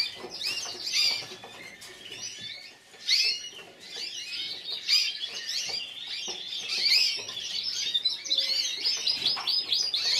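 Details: Individual runner-up yellow frosted lipochrome canary at the Burgos 2014 contest sings bursts of fast, high trills and twittering phrases, with brief quieter dips between louder rolling passages.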